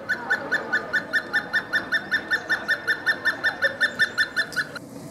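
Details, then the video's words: Hemprich's hornbill singing in Dessie, Ethiopia: a long, very regular run of clear piping notes, about four or five per second, steady in pitch and loudness, ending abruptly near the five-second mark over faint background hum. "Hemprich's Hornbill Calling and Singing"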